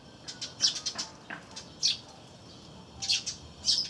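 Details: Eurasian tree sparrows chirping nearby while a great tit eats peanuts from a wreath-shaped feeder, 3 April 2013: a quick cluster of bright chirps, a pause, then paired chirps near the end.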